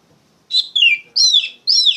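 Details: Kacer, the Oriental magpie-robin, giving a loud 'ngeplong' lure song for tutoring young birds: three strong, clear down-slurred whistled notes spaced about half a second apart after a brief silence.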